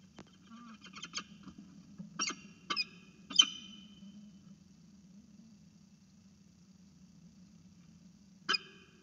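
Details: Falcon calling to be fed at its nest, picked up by a nest camera: a few short, harsh, rasping notes in quick clusters during the first four seconds, then a pause and one more harsh note near the end over a low hum.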